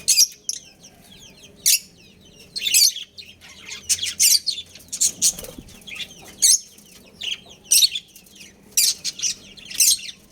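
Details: Breeding pair of budgerigars chirping loudly: sharp, high, clipped chirps and twitters in separate bursts roughly every half second to second, over a low hum.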